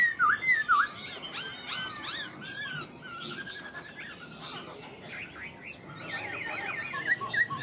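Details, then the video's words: Black-throated laughingthrush kept in a cage, an old wild-caught bird said to sing well: sharp whistled V-shaped notes, then a quick rising flurry, a short rattling trill and a wavering warbled phrase near the end. "Khướu bạc má mộc dở chim già rừng, hót tốt giọng hay"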